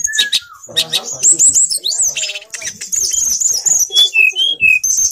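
Grey Bushchat singing a fast, varied jumble of high chirps and thin whistles, with brief downslurred notes near the end and a few sharp clicks.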